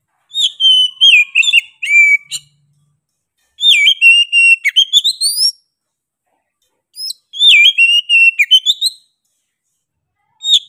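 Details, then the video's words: Oriental magpie-robin in vigorous song: repeated bursts of sweet whistles, upward slides and quick chattering notes, each burst about two seconds long with gaps between, and nothing else audible. "KACER GACOR NGOTOT PEDES SUARA NYA GA DA AMPOON"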